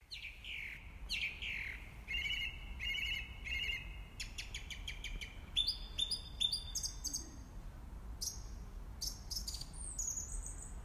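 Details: Song thrush (Turdus philomelos), song.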